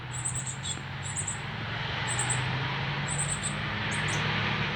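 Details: Northern cardinal baby, first day out of the nest, begging as a male feeds it, Canada, September 2020: four bursts of doubled, piercing high chips spaced about a second apart, over low humming noise.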